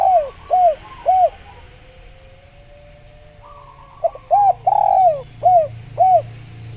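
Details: Natural jungle recording of a spotted dove (tekukur), used as a tutor for kept birds: three arching coos, a pause with a soft buzzy note, then short notes, a long falling coo and two more arching coos.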